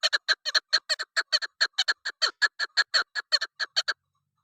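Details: Female chukar partridge call of the kind hunters use to attract birds: a rapid, steady series of short, harsh clucking notes, about five each second, running for four seconds with no other sounds.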